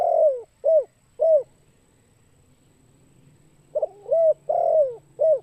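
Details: Spotted dove giving its luring call. Three short, mellow coos are followed by a pause, then a fuller phrase of a stuttered double note, a long sliding coo and two short coos. A faint low hum sits beneath.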